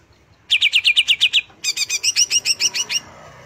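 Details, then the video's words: {'caption': 'Greater green leafbird song in two bursts: nine quick ringing notes, a short pause, then about ten higher doubled chirps delivered at a brisk even pace, light background hiss.'} "Relaksasi pembangkit emosi cucak hijau"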